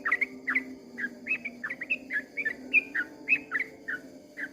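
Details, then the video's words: Long 'ropel' dawn song of a sooty-headed bulbul: a chain of short, bright slurred whistles repeated several times a second, heard over a noticeable low hum and steady background noise. "kicau suara trucukan ropel panjang di waktu fajar"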